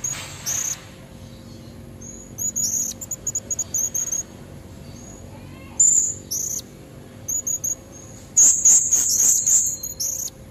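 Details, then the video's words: A female blue-crowned hanging parrot gives lure calls aimed at males with red necks. Piercing, very high squeaky chirps come in clusters, some as quick stuttering series, with pauses between bursts. "Suara serindit betina buat pancingan jantan leher merah"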